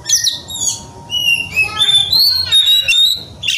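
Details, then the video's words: Oriental magpie-robin, agitated and seeking a rival to fight, singing loudly: long pure whistles that slide up and down, then rising and falling notes mixed with harsh buzzy bursts, almost without pause. "kacer gacor cari lawan tarung"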